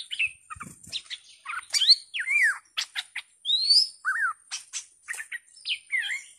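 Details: A bulbul (merbah lekir), recorded 18 July 2021, sings a lively run of clear, slurred whistles and chirpy notes, with phrases rising and falling quickly, several per second; no other sounds intrude.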